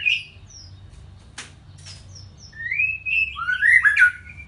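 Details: White-rumped shama in Panji Semerang song style: thin high whistles and clicks, then a rising run of loud fluty warbles and slurred whistles building to a rich finish.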